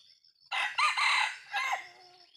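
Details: Short, rough crow of a jalak junglefowl: a sudden harsh blast, a brief dip, then a fading final note, all within about one and a half seconds. A thin high insect whine runs underneath.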